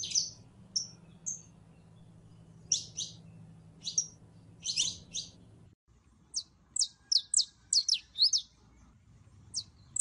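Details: Canary hen in heat summoning a male for mating, giving sharp high chirps and brief whistles in scattered bursts, some paired, over a faint low hum.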